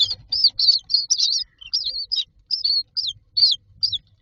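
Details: Common myna chicks in a nest box, standing in a row waiting for food, giving high, rapid chirping and wheezy calls in quick bursts, about three per second, with low rumbling in the background.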